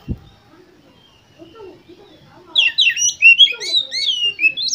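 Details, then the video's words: Oriental magpie-robin lure song for contest birds. Faint low murmurs come first, then a rich burst of quick, varied whistles, twitters and upward-sliding notes fills the second half. "Pancingan Untuk Kacer Lomba Agar Cepat ON Dan Gacor Konslet Di Gantangan"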